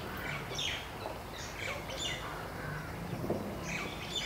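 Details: A trio of wire-tailed swallows on a bare tree calling to one another, with a black kite nearby; scattered sharp twittering chirps come in loose bursts over a low background rumble.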